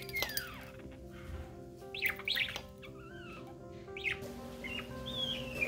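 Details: A male blue budgerigar being petted and cuddled gives scattered bright chirps and warbled notes, some sliding downward, over a steady low background hum.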